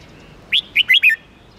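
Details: Red-whiskered bulbul song: a short phrase of four clear whistled notes, the first sweeping upward, the rest quick and slurred.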